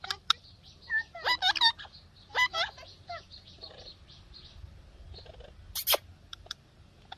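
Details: Pet ringneck parrot chirping: a run of sharp, harmonic-rich chirps and short rising notes clustered in the first two seconds, more scattered calls later, and a loud broadband screech near six seconds.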